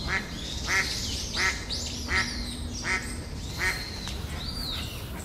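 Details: Mallard giving a steady series of six harsh, nasal quacks about two-thirds of a second apart, with thin high whistles and chatter overlapping toward the end.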